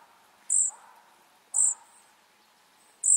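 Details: Nestling flycatchers producing piercing high squeaks, one each second, each followed by a faint lower trailing sound.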